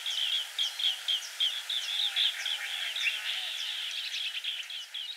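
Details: Green bee-eater calling: a rapid run of short, trilled high notes, about four per second, with some overlapping, suggesting more than one bird, over a faint steady background hiss.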